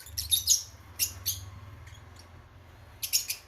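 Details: Fischer's lovebird chicks nearly ready to leave the nest give raspy, high squeaky bursts in short clusters with gaps of about half a second, over a low steady hum.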